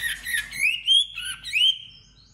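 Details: White-rumped shama during competitive singing: a short run of high sliding whistles, rising and falling, then fading out.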